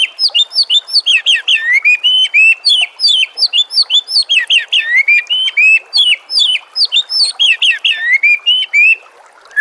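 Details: White-rumped shama master song used to train other birds: continuous, very high, rapid twittering of looping chirps and quick slurred whistles.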